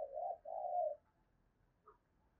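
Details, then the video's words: Spotted dove decoy cooing to stir wild birds into answering: two low, hollow, rounded coos run almost together, the second longer and steadier, followed by a faint short higher note. "Tiếng Chim Cu Gáy Mồi thúc Gù Kích Bổi Cực Nhạy"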